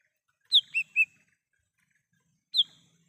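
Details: Lesser green leafbird in the wild, recorded to serve as a lure and call. Three quick whistled notes, high then two lower, followed after a two-second pause by a single high downslurred whistle.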